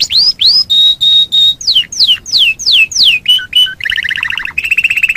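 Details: Canary performing master-recording song for training birds: loud whistled slurs, first rising, then steady, then falling, each about a third of a second, followed by short buzzy trills.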